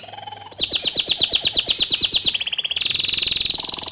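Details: Bottle-green canary in loud, continuous tutor song for young and untrained canaries: a quick series of about fifteen downslurred chips, then smooth rapid trills shifting to a higher pitch.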